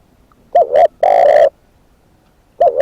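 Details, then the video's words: Decoy spotted dove giving a doubled short coo followed by a long buzzy rolling coo, with the next phrase beginning at the end, recorded loud and clipped. "เสียงนกเขาใหญ่ นกต่อ"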